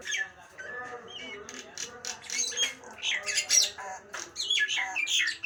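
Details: Nias hill myna in a busy, jumbled run of sharp squawks, clipped whistles and clicks, rising and falling in loudness without pause.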